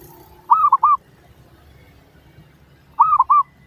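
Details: Lure recording of zebra dove song to draw answering doves: two phrases of three rolling coos, about two and a half seconds apart, over faint low background noise.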